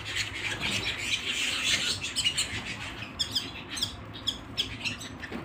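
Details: Canary singing indoors at home: busy high twittering and short chirps, fuller in the first half, then thinning into separate sharp notes repeated roughly twice a second over a faint low hum.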